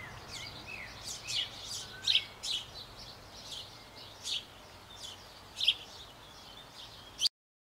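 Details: Nearly fledged sparrows in a Bavarian birdhouse on an old apple tree, parents bringing food; sharp, high, rasping chirps sound in quick irregular bursts, with brief falling squeaks, ending abruptly.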